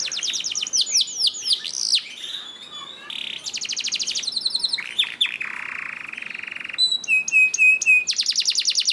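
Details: Canary singing as a master recording for training caged canaries: a varied medley of rapid trills, downward-sweeping notes, a sustained buzzy tone and a clipped repeated whistle, with high rattling bursts.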